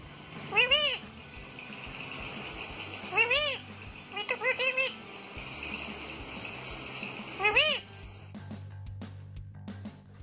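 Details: Rose-ringed parakeet, a talking bird, speaks in four short, high, sing-song word-like bursts spread over ten seconds above a faint steady hum. Rose-ringed parakeet, speech mimicry.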